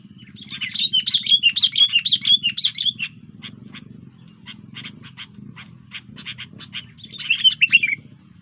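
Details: Sooty-headed bulbul singing busily, opening with a rolling chattering phrase, then a string of short sharp ticks at about two per second, and ending with another warbled burst, over a constant low drone.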